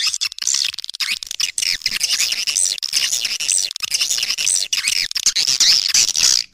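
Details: Swiftlet calls used as a lure to attract swiftlets: dense, continuous high-pitched chirping and twittering, many sharp notes overlapping with brief pauses, no other clear sounds.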